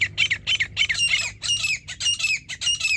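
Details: Grey francolin (teetar) calling during a partridge hunt: loud, harsh, high squawking notes in a fast, uneven series of about two to three per second, each note sliding downward, with a faint low rumble underneath.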